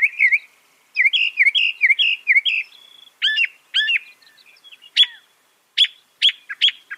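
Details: Northern mockingbird song with a string of quick rising-falling whistled notes, followed by sharp downswept chips and crisp clicking notes with brief gaps.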